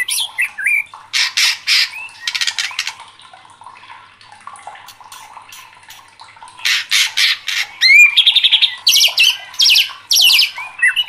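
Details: A white-rumped shama, agitated and calling hard, delivers repeated harsh rasping bursts at a rapid pace. These are interspersed with quick rising whistles and scratchy chatter, with quieter twittering in between.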